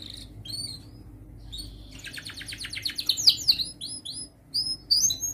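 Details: Young canary in training for young birds: soft scattered high chirps, a fast buzzy trill, then bright sweeping whistles and short upslurred notes over faint background hum.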